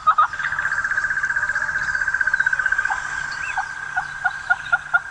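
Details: Red-billed hornbill recording played back from a phone app on a game drive in Djuma Game Reserve, South Africa: a rapid run of clucking tok notes speeding into a continuous chatter, then slower separate toks.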